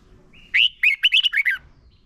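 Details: Red-whiskered bulbul, a lure song for training caged birds: after a short thin whistle, one lively burst of about seven bright, slurred, warbling notes over a second, clean and loud.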